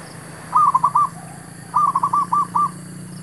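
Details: Zebra dove used in trapping to draw in wild birds: a short three-note cooing run, a pause, then a longer run of about six fast, clipped coos at the same pitch.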